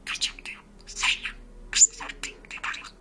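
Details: Georgian speaking and singing parrot indoors, producing short bursts of hoarse, speech-like syllables with breathy gaps between them.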